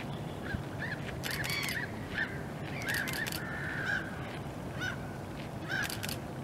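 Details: A pair of common goosanders, the female preening her feathers while the male seems uninterested, give short, harsh, croaking calls in quick bursts over a few seconds, above a steady rushing background like water or wind.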